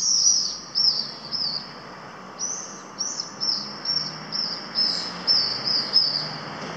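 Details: Pallid swifts calling over Cullera, a coastal locality in Valencia province, Spain: high, buzzy, trilled screams in short bursts, roughly two a second, with a brief pause before the series resumes; faint steady background hiss.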